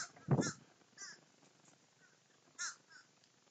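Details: Feeding crows in a group; a loud low thump opens, then scattered harsh caws, one clearer rasping caw standing out later over quiet background.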